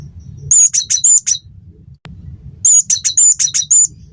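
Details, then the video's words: Cinereous tit (gelatik batu), a lively, much-singing bird, recorded as a training track to teach songbirds and provoke them to sing: two bursts of five or six sharp, very high whistled notes, separated by a pause, over a low background rumble. "masteran burung gelatik batu gacor pancing bunyi"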